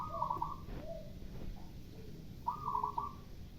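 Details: Local zebra dove (perkutut) calling back and forth with a spotted dove (derkuku) on a morning: two bursts of trilled, warbling cooing notes, with softer lower coos between and faint sweeping sounds.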